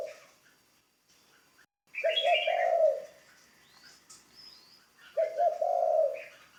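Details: Training ground decoy spotted dove repeating its deep, burred coo twice, about three seconds apart, while other birds twitter and whistle softly in the background.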